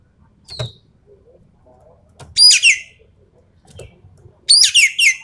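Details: Rapid-fire 'full tembakan' song of a Javan pied starling, used for testing champion songbirds: a short high whistle, then two loud grating bursts of tumbling, downward-slurred notes around two seconds apart, separated by soft clicks.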